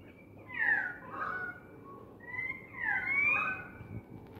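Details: Australian magpies calling outside a window alongside currawongs, a noisy group; two bursts of rich, gliding, warbling notes with sliding pitch, each lasting about a second, separated by a short pause, over a quiet indoor background.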